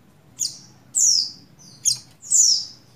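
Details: A female buxtoni Oriental white-eye in breeding mood calls to a male with four high notes: short sharp chirps alternating with longer thin whistles that slide downward.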